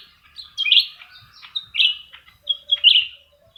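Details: Black-crested bulbuls matched in a singing duel, both in full voice: three loud slurred whistled phrases about a second apart, each with a sharp rising-then-falling note, softer chatter between.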